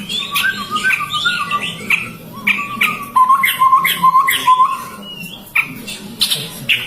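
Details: Chestnut-rumped babbler giving a quick run of short, low whistled notes on a steady pitch, heard together with busy higher chirps, squeaks and clicks in between.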